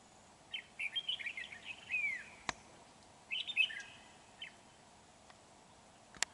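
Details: Lure red-whiskered bulbul at a trapping site, 31 January 2019, giving quick chattering, slurred whistled phrases in two bursts with a brief pause between, faint against low hiss, with sharp clicks.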